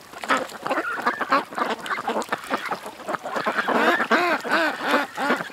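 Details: Ducks at a creek give loud, rasping quacks. Irregular chatter comes first, then a run of clear, arched, rhythmic quacks about three per second toward the end.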